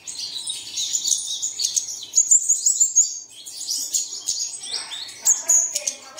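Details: Bird song meant to make caged birds sing at first light. Bright, rapid chirping phrases come in spurts, with sharp piercing notes standing out and short lulls between bursts.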